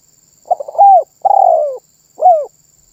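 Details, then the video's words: Spotted dove in steady song: one phrase opening with a few clipped notes, then a drawn-out downward-sliding coo and a shorter closing coo, against a very quiet background with a thin high whine. "SUARA BURUNG TERKUKUR MANGGUNG GACOR MEMBUAT BURUNG LAIN IKUTAN BUNYI"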